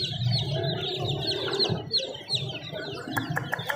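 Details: Chicken chicks cheeping in short, high, downward-sliding notes, joined near the end by a quick run of sharp tapping clicks, with low background hum.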